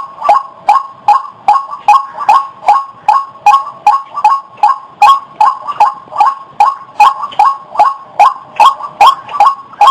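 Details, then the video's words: Repeated white-breasted waterhen notes used as a bird lure, each a short upward-flicked call, delivered about two and a half per second in a steady, clean rhythm. "SUARA BURUNG RUAK UNTUK PIKAT"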